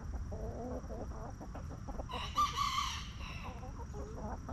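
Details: Backyard rooster kept with clucking hens at a homestead coop. Soft low clucks lead into a loud, hoarse, harmonic-rich crow of about one second mid-clip, then quiet clucking resumes under steady background hum.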